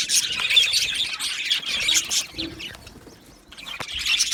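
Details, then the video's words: Australian budgie parrots in a colony aviary produce a burst of high, scratchy chirps and squeaks that fades to quieter chatter midway, then swells again near the end. "Australian Budgie Chirping Sounds"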